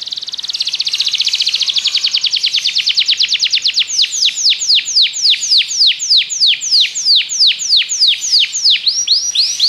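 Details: Song of a Belgian canary for training canaries to sing: a smooth, fast buzzing roll that slowly opens into distinct, evenly spaced downward-swept whistles.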